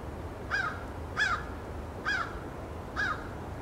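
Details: Crow at Dufferin Islands calling four times. Each caw is harsh and slightly falling, coming roughly every second, over a steady background hiss.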